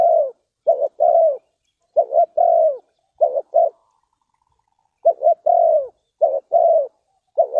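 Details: Spotted dove in Ninh Thuận, Vietnam, in a trapping and luring setting. A steady run of low mellow coos, double clipped notes each followed by a falling drawn croo, with one brief pause midway.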